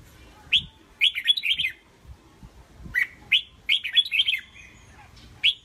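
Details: Caged red-whiskered bulbul, a passionate fighter said to suit competition: short warbled phrases of bright rising and falling notes alternate with single sharp chirps, over faint low knocking sounds.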